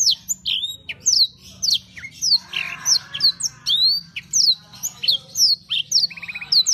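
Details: Canary, kenari, singing in full energetic song: rapid varied phrases of high whistled sweeps and chirps, with a short buzzy trill near the end, delivered about 100 notes a minute; faint low hum beneath.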